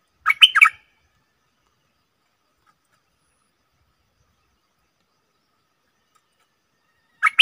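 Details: A caged stripe-throated bulbul gives a quick, bubbly burst of warbled notes, then falls silent for several seconds before starting another phrase.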